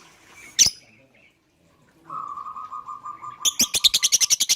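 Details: Lovebird used as a prompt for other birds to call: one loud shriek, a pause, a steady pulsing trill from another bird, then a fast run of evenly spaced buzzy chattering notes.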